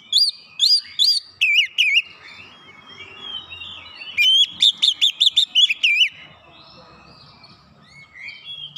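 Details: Oriental magpie-robin singing fast to spur a lazy bird into full song: looping whistles and sharp high clicks in short bursts, a dense run of quick repeated notes near the middle, then softer thin warbling fading out.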